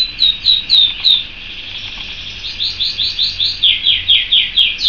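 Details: Canary singing: series of rapid repeated down-slurred whistled notes, about four per second, in changing phrases, with a rolling trill between them.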